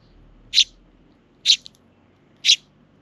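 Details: Sparrow chicks visiting a park with their parent birds on 24 June 2023, begging: three loud, short, sharp chirps spaced about a second apart, with a soft extra peep after the second, against a quiet low background.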